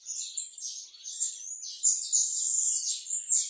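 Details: Finch singing a high, continuous warbled song of thin whistles and rapid twittering notes, run together with little pause.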